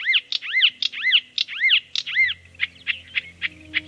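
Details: Marsh Warbler song imitating birds of Central Europe and Africa, some learned in its African wintering grounds: arched whistled notes about twice a second, then a switch to short, sharp repeated notes over a faint low hum.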